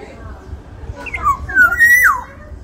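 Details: Sumbawa black-naped oriole, described as big-bodied, gives a rich fluty phrase: a brief rising note, then a sustained whistle ending in a sharp downward slide, over faint background chatter and low rumble.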